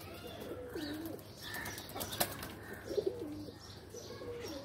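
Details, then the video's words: Several low, undulating coos from pigeons playing in their loft, repeated across a few seconds, with a sharp wing clap and faint background chirping. "Pigeon are playing in loft"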